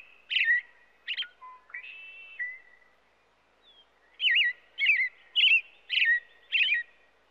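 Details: American Robin (Turdus migratorius) in Illinois sings a loud, caroling song of short whistled phrases, about ten in seven seconds. Some phrases are rising and others end in a thin, high squeak.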